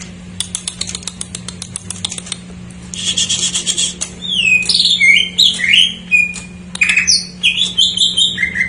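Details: Greater green leafbird song with filler phrases, used as a lure for untrained or silent birds: soft clicks, then a buzzy burst, then a lively run of slurred whistled notes rising and falling, steady low hum beneath.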